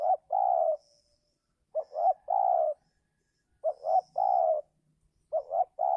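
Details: Repeated spotted dove cooing used for trapping wild doves in giring season; four phrases, each a clipped double note followed by a sustained mellow coo, spaced under two seconds apart, with faint high twittering behind.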